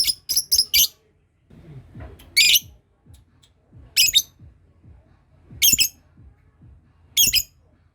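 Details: Lovebird practising its ngekek trill while others answer: a quick burst of four rasping notes, then single harsh squawks repeating about every one and a half seconds, with faint low knocks between.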